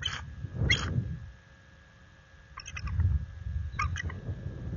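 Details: Resident bald eagle pair at their nest after dark on 26 February 2022, defending their territory against an intruder adult eagle. Four bursts of high, piping chatter with rich overtones come at irregular intervals over low rumbling and rustling.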